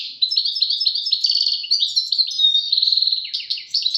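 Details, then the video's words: Goldfinch song in Moroccan style, tawawati and tbatbati phrases in a duet: a dense, unbroken stream of quick high twitters and ringing trills, with a steady buzzy run near the end and a few lower notes. "غازارات تواواطي وتباتباتي فالقمة اسمع واتمتع مع المقنين الزين"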